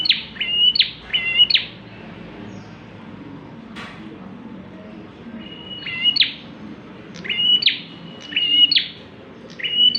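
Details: Bar-winged prinia, a busy singer fit for luring other birds: short bursts of level whistled notes ending in falling flicks, separated by pauses of two to three seconds, with a single click mid-way.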